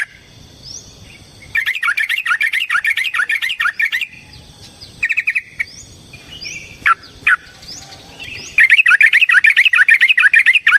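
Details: Yellow-vented bulbul giving a long fighting song meant to stir other bulbuls into song. Bursts of rapid, gurgling notes alternate with quieter gaps holding faint thin upslurred whistles, ending in a loud dense chatter.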